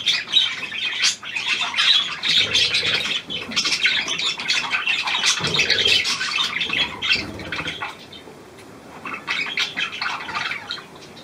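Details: Budgerigar, Australian pied variety, hand-tame and new, 17 February 2023: busy scratchy warbling and squawks for most of the recording, fading to quieter, sparser chatter near the end.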